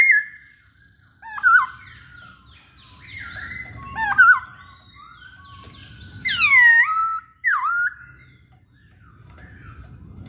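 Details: Masked laughingthrush (Poksay Hongkong) in full, lively song: loud clear whistled phrases around mid pitch, swooping and slurred notes with sharp upward flicks and high chattery overtones, delivered in bursts every second or two, with faint low background rumble.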